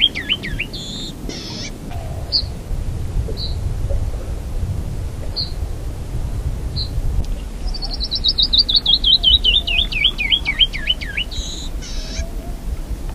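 Canyon wren: scattered high chips, then a cascade of about fifteen clear whistled notes tumbling down the scale, ending in rasping buzzes, over a low rumble.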